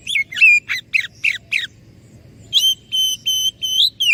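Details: Oriental magpie-robin song meant to lure other birds to answer: a rapid run of harsh, scratchy chattering notes, then a series of evenly spaced, clear, level whistles over a faint low hum.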